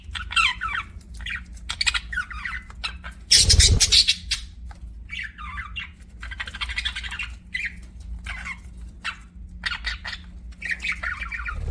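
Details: Budgies kept as pets chatter in quick, buzzy chirps and warbles, with one loud harsh burst near the middle, over a constant low hum.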